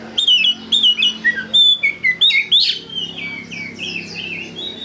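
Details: Oriental magpie-robin lure song, meant to trigger singing: a fast series of bright, repeated whistled notes, some dropping in pitch and some sliding upward, then softer, buzzier warbled phrases toward the end.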